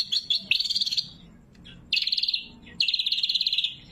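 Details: Greater green leafbird (cucak kombo) in loud, sharp 'gacor' song used as a lure and training song, natural with no added effects: three bursts of rapid, buzzy, high chattering trills, each about half a second to a second long, separated by brief pauses.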